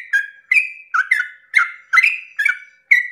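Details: Sooty-headed bulbul singing a long rapid song at dawn, used to provoke other bulbuls into singing; bubbly notes with a sharp onset then a whistled tail, about eight phrases in three seconds, each shifting pitch slightly.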